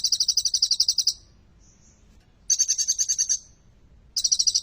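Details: Energetic olive-backed sunbird singing prinia-like trills as a prompt for non-singing sunbirds; three bright, rapidly pulsed high bursts, each about a second long, with a faint note in between.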